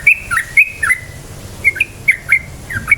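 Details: Yellow-vented bulbul song used to provoke other bulbuls into singing, a lively series of short whistled notes, each a quick high note dropping into a lower slurred one, repeated several times a second.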